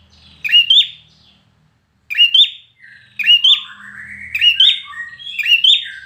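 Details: Intense contest song of a red-whiskered bulbul: bright, sharply rising whistled phrases repeated every second or so. In the second half, softer sliding warbles from another bird overlap them.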